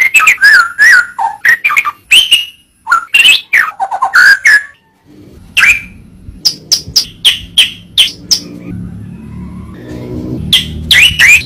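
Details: Murai batu masteran song: a long series of sharp whistled and warbled notes, a brief pause, then spaced high piping notes over a low humming background, ending in a rich warble.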